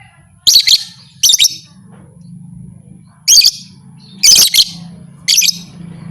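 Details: Call of a lovebird, said to provoke other lovebirds into fighting: five short, shrill, stuttering chirp bursts spread over six seconds, with a steady low hum beneath.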